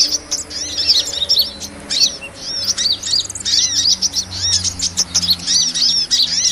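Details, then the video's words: Sunbird calls played as a lure to trap small birds: rapid clusters of sharp, high twittering chirps, each with a soft lower echo note, coming in uneven bursts with brief gaps over a faint low hum. "SUARA PIKAT MP3 BURUNG KOLIBRI"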